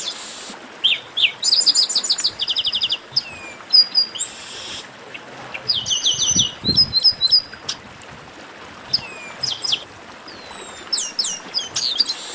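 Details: Chestnut-capped blackbird in an esquenta (warm-up) recording: several high, bright voices trade rapid chip series, short rising and falling whistles and one buzzy burst, in bursts with brief pauses and a soft low thump near the middle.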